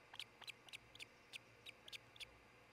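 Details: An osprey, one of a nesting pair at a nest near Charlo, Montana, recorded 26 June 2018 around 6 am, gives a series of short, sharp, high whistled chirps, about three per second, over a faint steady background hiss.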